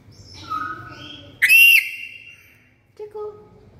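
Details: Black-capped lory, very loud: after soft whistled notes comes one powerful, strongly harmonic screech lasting under half a second, then a brief lower note.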